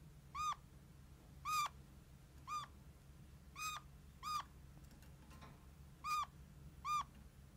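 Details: Pet kakariki parrot, a red-crowned parakeet, giving plaintive, kitten-like squeaks, each a short nasal note repeated seven times at uneven intervals of about one second against a quiet room hum.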